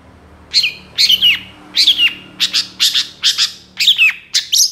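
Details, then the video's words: Young long-tailed shrike with fresh adult plumage, a master recording meant to lure birds: harsh, buzzy notes sliding down in pitch, repeated in a rapid broken series, with a faint low hum underneath. "MASTERAN CENDET MABUNG MUDA GACOR FULL ISIAN"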